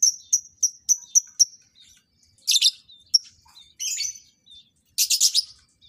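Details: Lovebirds during pairing for breeding: a quick series of six clipped high chirps, then harsher squeaky bursts and a final loud rasping chatter.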